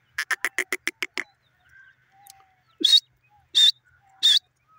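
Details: Grey francolin (teetar) calling: a fast run of about eight harsh, broadband clicking notes within a second, then three loud rasping notes spaced roughly 0.7 seconds apart, with faint thin whistles from other birds in between.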